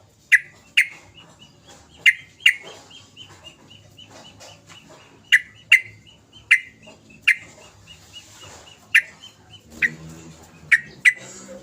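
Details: Sooty-headed bulbul (trucukan) from a lure recording used to get silent bulbuls singing: single sharp, downward-slurred chip notes, often in pairs, sounding every second or so over a faint steady background hum.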